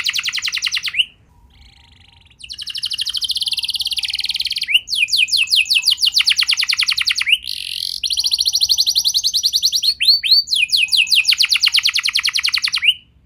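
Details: Lure song of a canary for encouraging young birds to sing. An opening trill, a brief silent gap, then a long sequence of rattling trills, quick repeated slurred notes and swooping phrases running to the end.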